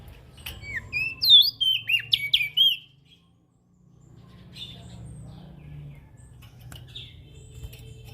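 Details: Ashy prinia calling as a lure for small birds: an opening flurry of sharp, falling chirps lasting about two seconds, followed by a low humming background with a couple of faint scattered notes.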